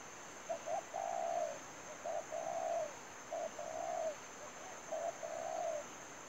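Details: Decoy spotted dove calling during trapping, repeating its cooing phrase four times about every one and a half seconds. Each phrase is a quick double note followed by a longer, mellow, falling coo, over a constant high whine.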